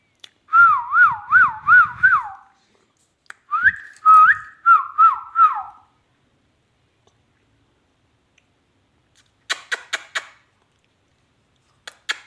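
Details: Talking ringneck parrot whistles two bursts of wavy, warbling notes that rise and fall rhythmically, followed after a pause by quick dry clicking.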